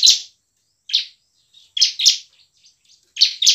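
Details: Bar-winged prinia singing 'gacor' lure song to stir lazy ciblek into song and combat: single and doubled harsh, bright chirps spaced about a second apart, with faint twittering between.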